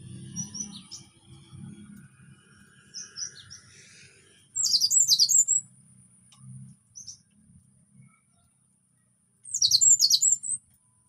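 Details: Orange-headed thrush song, used as a relaxed lure to prompt silent thrushes to sing: short bursts of high, sharp chirping and twittering notes in two loud clusters about five seconds apart, with faint scattered chirps and a low hum between.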